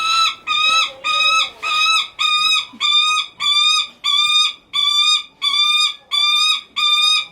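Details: Captive Lanner falcon at a bird park in Japan calling repeatedly because it wants attention from its keeper: loud, harsh, nasal notes with rich harmonics, each about half a second long, repeated evenly about twice per second.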